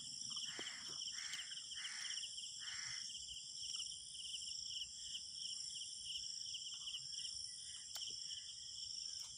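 A quail gives four quick, hoarse notes, roughly one every 0.7 seconds. A steady, shrill insect chorus rings throughout.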